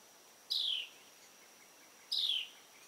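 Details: A Carolina wren, making a bit of noise while preening, gives two high, slurred notes that drop in pitch, about one and a half seconds apart, over a faint steady high hum.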